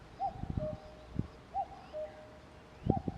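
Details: Common cuckoo giving its two-note cuckoo call, high then lower, three times about every one and a half seconds, with low knocking and thumping noises nearby.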